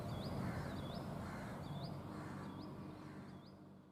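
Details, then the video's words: At Tibbi, Hanumangarh, Rajasthan, India, in 2019, a brown rock chat calls slowly while dancing, giving high up-slurred whistled notes roughly every half to one second against loud low rumbling noise. "Indian Rock chat 2।। Indian Birds videos।। calling and dancing at Tibbi Hanumangarh 2019"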